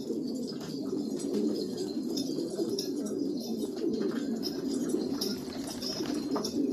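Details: Several black Afghan pigeons, Afghanistan, keep up an unbroken low cooing murmur with rising and falling surges, accompanied by light clicks and rustles.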